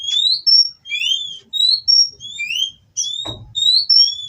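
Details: Captive Oriental magpie-robin (kacer) in mating song intended to provoke rivals: clear, pure whistled notes, rising and falling slurs repeated with short gaps, one brief knock partway through.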